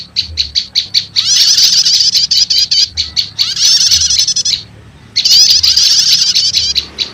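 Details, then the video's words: High, sharp prinia notes open in a quick string of separate chips, then give way to two dense, buzzy chattering bursts split by a brief silence. The sound is a lure meant to call wild prinias fast. "Suara Pikat Burung PRENJAK LUMUT Kombinasi Prenjak Setater"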